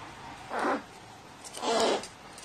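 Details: Crow given water and behaving like a baby bird, recorded 29 March 2018; two raspy, buzzy begging calls about a second apart over steady background hiss.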